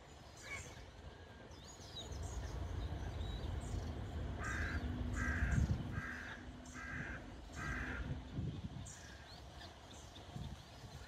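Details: Canada geese with goslings outdoors on a cold morning, 20 May 2023; a series of about six harsh, nasal honks in steady succession mid-clip, over a low rumbling background.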